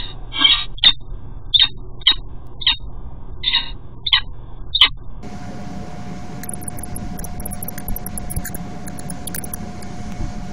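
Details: Male peregrine falcon calling while bringing food to a cathedral nest site; a series of about eight clipped, rasping chips at irregular half-second intervals, followed by steady mechanical hum and scattered faint clicks.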